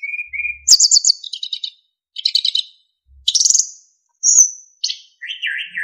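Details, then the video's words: Narcissus flycatcher in full lively song for training other birds. It opens with a soft lower whistle, then fast rattling trills, a buzzy high phrase, a pure drawn-out whistle and a lower warbling trill. "MASTERAN BURUNG SIKATAN EMAS GACOR FULL ISIAN & SULINGAN JERNIH"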